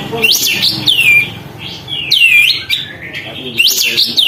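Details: Actively singing sooty-headed bulbul, tail spread, used to goad other birds: lively whistled swoops in quick clusters, rising then sliding down, separated by brief softer gaps.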